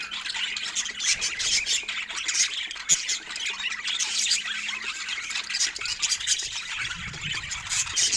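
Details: Unbroken high-pitched budgie warbling from several pet birds playing together, full of rapid chirps and rasping squeaks with no pauses.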